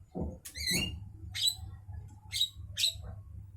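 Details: A Javan myna at midday gives a low throaty note and a harsh rasp, then three sharp, screechy calls spaced about half a second apart, each with a thin whistled core.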